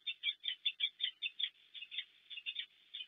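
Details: Wild peregrine falcons nesting at Płock, Poland, on the morning of 12 March 2024, as the male brings prey to the female after her night in the nest: rapid, harsh, chipping notes repeated in an uneven series, about one hundred per minute.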